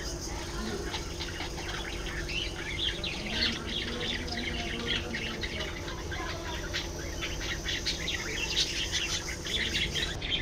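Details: Budgies chattering continuously with dense, scratchy warbles and quick chirps, irregular and overlapping, against constant low hum and a faint steady tone.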